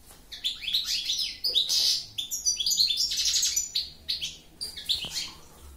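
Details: Continuous goldfinch song of crisp high chirps mixed with buzzy, rattling notes. The bright twittering phrases rise and fall irregularly, with short gaps between bursts.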